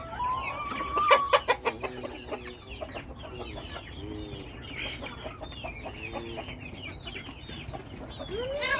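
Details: Flock of chickens chattering with many short curved chirps and low clucks, interrupted early on by a run of sharp tapping clicks, then steady overlapping calls until a louder squawk at the end.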